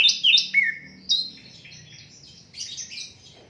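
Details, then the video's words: Unedited Asian brown flycatcher song, meant as a tutor for songbirds: two sharp high chips and a falling slur, a pause, then scattered thin whistles and a buzzy doubled phrase near the end. "Sikatan londo durasi 15 menit, Reall No editan, cocok buat masteran semua burung"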